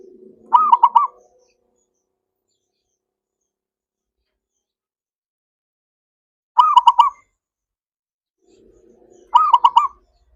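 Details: Zebra dove song meant to stimulate non-singing doves: three separate bursts of rhythmic, pulsed coos, well spaced, with faint soft low notes before the first and last.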